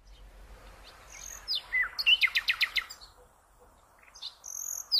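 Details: Common nightingale song, played for training cage birds: after a quiet start, a slurred whistle leads into a fast burst of about eight sharp, repeated clicking notes, then a pause and high thin whistled notes.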